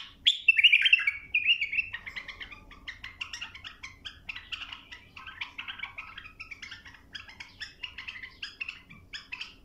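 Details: A bulbul tutoring song for young birds, opening with a loud slurred warble, then a long run of quick, chattering notes and short chirps repeated several times a second.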